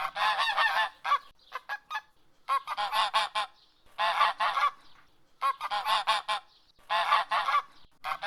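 Domestic geese give loud, nasal honks in rapid bursts of several notes, separated by brief pauses, with a few softer single honks between.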